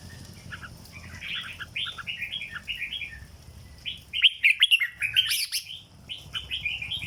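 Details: Caged red-whiskered bulbul in dok-style song, delivering a chattering sequence of quick, liquid whistles, then a louder, brighter burst of emphatic notes and a trailing set of softer warbles, over a low hum.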